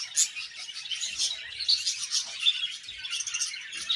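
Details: Budgies give a steady stream of high chirps and squeaky twitters, evenly busy throughout.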